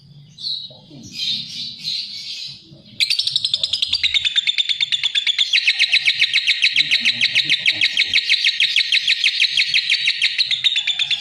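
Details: A lovebird gives a few soft, scattered squeaks, then breaks into a loud, rapid, buzzy chatter of high notes that runs without pause to the end.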